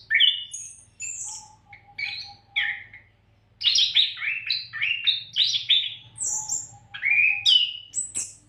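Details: Oriental magpie-robin, called kacer, singing continuously without pause as a training recording for other songbirds; varied whistled phrases of clear notes jumping between high and low pitches, some rising and falling slurs, with brief gaps and a low steady hum beneath.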